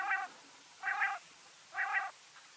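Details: Quail from Mianwali giving three soft nasal, harmonic-rich notes, each about a quarter second long, spaced roughly one second apart over a quiet background.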